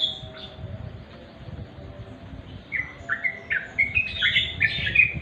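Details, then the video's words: {'caption': 'Sooty-headed bulbul singing in twilight, a genuine recording: a quiet start, then an accelerating string of bright, bubbly chirps that climb higher and grow louder toward the end.'} "remang² trucuk.suara asli"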